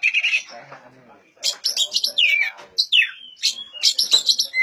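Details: Oriental magpie-robin, a recording meant to trigger silent magpie-robins to sing, giving scratchy chatter and sharp downward-slurred whistles separated by brief pauses.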